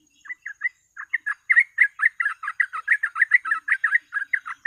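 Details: Trucuk (yellow-vented bulbul) in full, rapid chattering song, used as a lure for catching birds. A few spaced notes speed into a dense run of short, bubbly, mid-pitched notes.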